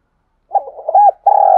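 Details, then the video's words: Spotted dove from Đồng Nai, Vietnam, used as a lure call: a low, soft cooing phrase with a few quick broken notes, then one long, steady, purring coo. "tiếng cu gay kích bổi hiệu quả, chim cu gáy Đồng Nai"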